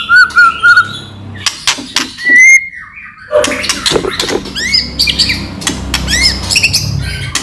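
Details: Loud chattering shama lure: a few whistled notes at the start, then harsh, clicking, broadband chatter and scratchy bursts, meant to trigger other white-rumped shamas into singing.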